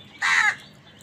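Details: Angry crow calling while wild birds fight with crows over food: one loud, harsh, hoarse caw lasting about a third of a second, broad and raspy, over quiet background hiss.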